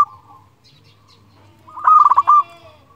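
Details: Local zebra dove singing to challenge rivals, used as a trapping lure: one loud, rolling, bubbly trilled coo after a quiet start.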